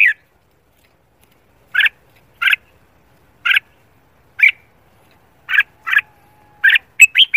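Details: Red-whiskered bulbul giving morning competition-style song during voice training: short warbled notes in separate bursts about every second, quickening into a rapid cluster near the end, over a silent background.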